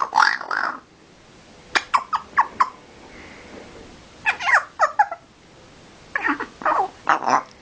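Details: Pet parrot imitating a pig: rough, nasal grunting bursts in short clusters, a few quick snorts in a row, then two longer grunting phrases, in a quiet indoor room.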